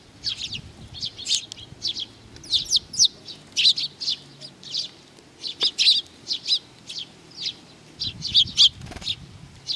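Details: Sparrows coming to be fed at Tenmangu shrine, Nakanoshima, recorded 7 June 2020: a busy stream of short bright chirps from several birds, overlapping and irregular, with low rumbling background noise.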